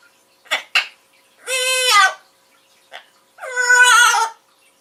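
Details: Max, a male Amazon parrot, sings his own version of "Take Me Out to the Ball Game": two drawn-out, nasal, wavering phrases, each about a second long, with a couple of short clicks and squawks between them.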